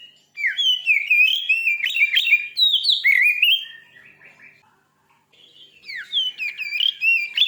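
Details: Aggressive Oriental magpie-robin song used to make other magpie-robins agitated: three seconds of varied, loud whistles and quick swooping slurs, fading to soft chatter, a short pause, then renewed bright whistled phrases.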